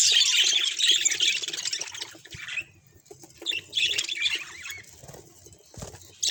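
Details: Bursts of budgerigar warbling and squawky chirps, loud at first, then broken by quieter pauses and returning in short busy spurts.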